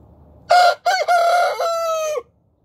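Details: Cockerel greeting the morning with a loud, hoarse crow: clipped first syllable, a quick second, then a drawn-out steady tone lasting over a second and ending with a downward droop; background otherwise quiet.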